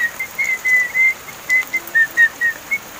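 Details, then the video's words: Seven-month-old caged crested myna, kept with others and described as beginning to speak, runs off a quick series of level whistled notes at an even pitch, several per second, over a soft background hiss. "MARTINEZ BIRD TALKING!"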